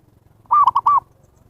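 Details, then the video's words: Zebra dove lure call for drawing in wild birds: a single soft, mid-pitched cooing phrase of three notes, long, short, long, lasting about half a second against a quiet background. "SUARA PIKAT PERKUTUT นกพิราบชวา Chim Cu Vằn | memanggil burung liar"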